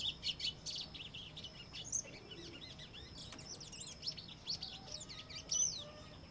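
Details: White-throated Seedeater (Sporophila albogularis) song: a fast, jumbled twitter of high chirps and short slurred whistles, with a faint background hiss.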